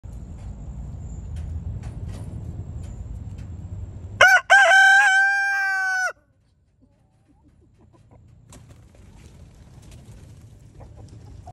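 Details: A 6-month-old Easter Egger rooster gives one loud crow of about two seconds: a clipped start into a long, strained, steady note, with low rumbling background before and after; chicken.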